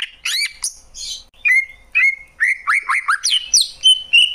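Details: Greater green leafbird song: varied whistled and chattering phrases, slurred notes around mid-high pitch with sharp rising and falling sweeps, loud bursts separated by short pauses, clean background.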